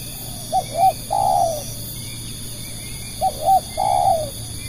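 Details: Spotted dove used as a decoy to attract other doves, calling twice in a regular rhythm: two short hooked notes then a longer burry coo each time, separated by a quiet pause, over a persistent high-pitched whine.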